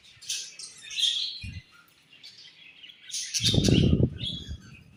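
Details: Budgies chirping at morning feeding time. Bouts of high, scratchy twitters alternate with quiet gaps, and a longer stretch of low rustling or scraping comes near the end.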